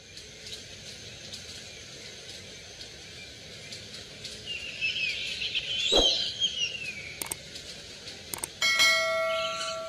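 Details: Wild Red-fan parrot (Deroptyus accipitrinus) giving harsh, scratchy chattering calls that swell midway, followed by a few ringing, bell-like tones near the end.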